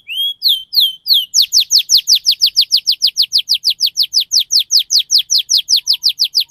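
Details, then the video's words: Canary performing dense, rapid 'cuit cuit' rolling song as a training lure for young canaries: a few drawn-out whistles, then a long, even run of sharp downslurred notes about five per second. "Kenari Gacor Speed Rapat Cuit Cuit NGEROL Tajam"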